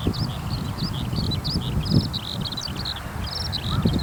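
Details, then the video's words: A Eurasian skylark, having landed in a farm field after singing in the sky, keeps singing a fast, high, unbroken stream of chirps, short trills and buzzy twitters over a steady low rumble of wind. "ヒバリの鳴き声～さえずり～Eurasian skylark"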